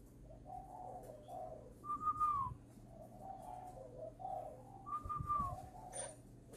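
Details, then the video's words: Spotted dove whose voice has just broken, being trained in Ba Vì, Hanoi, Vietnam; soft low cooing phrases recur every few seconds, each joined by a higher, thin falling whistled note, over a steady low hum. "chim vỡ tiếng chuẩn bị lên khách ngày 10 /11"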